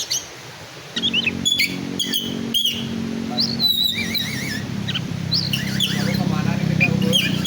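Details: Oriental magpie-robin, black-and-white form, singing in a showy style: varied whistled phrases, rising and falling slurs and quick repeated notes, over a steady low hum with faint voices in the background.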